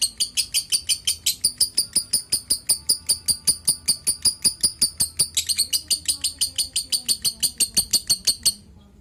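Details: Lovebird giving fast, insistent high-pitched chirps, about three per second, slightly uneven in rhythm, stopping abruptly near the end; faint low hum underneath.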